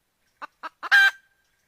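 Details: Chicken giving three short clucks followed by a loud, drawn-out raspy squawk, then silence.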